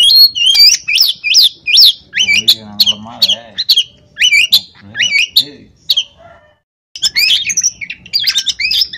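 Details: Oriental magpie-robin kept without a cage in Comal, Pemalang, Central Java, Indonesia, singing in full gacor form: loud, rapid whistled and rising-falling notes, about two per second, with a short pause near the end and a human voice murmuring underneath.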